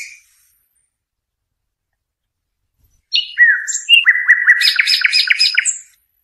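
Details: European goldfinch singing, a recording meant for teaching young birds: after about three seconds of quiet, a burst of sweet twittering opens with sliding whistles and breaks into rapid, jingling, buzzy trills before fading out.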